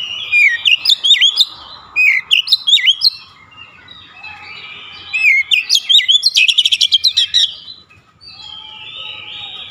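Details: Oriental magpie-robin performing 'nembak' shooting song and unloading its repertoire: bouncy whistled phrases, a rapid burst of staccato notes around six seconds, then a fading soft whistle.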